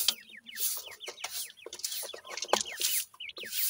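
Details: Feeding francolin chicks give clear, high, down-slurred peeps in rapid succession, several birds calling at once, with crackling rustle and pecking in the background.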